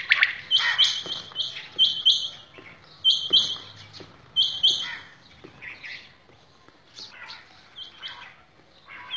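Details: Common quail calls from village quails at Shahbazkhel, kept in a quail-hunting setting: sharp three-note bursts high in pitch repeated in quick groups, then scattered fainter chirps from other birds later.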